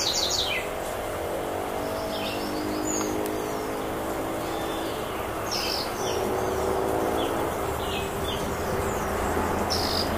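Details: A female violaceous euphonia calls persistently in the countryside, giving short, high, down-slurred chip notes, several every few seconds, over a steady rumble of distant traffic and rural noise.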